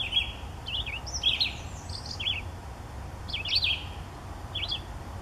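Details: Chickadee at its nest at Daly Point Nature Reserve in May 2015, giving short, wavy, high chips in loose bursts of two or three notes every second or so, over a steady low rumble.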